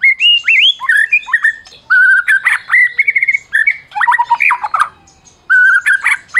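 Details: Song of a champion Medan white-rumped shama, played to goad mute shamas into singing; loud, varied phrases of steady whistled notes, quick warbles and abrupt harsh notes, broken by brief silences.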